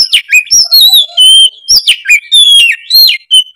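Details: Loud, unbroken oriental magpie-robin song made of bright whistled slides, upward and downward sweeps and quick chirps woven together.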